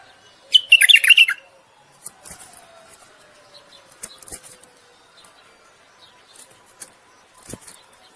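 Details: Common bulbul singing to court and stimulate a female to breed: a short burst of rich, chattering warbled notes lasting under a second, followed by faint scattered chirps and soft clicks.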